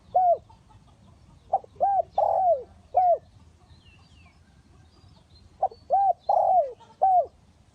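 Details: Spotted dove kept as a trap decoy, sounding two clear bursts of coos: short clipped notes, then a longer drawn-out falling coo and a final note, separated by a few quiet seconds.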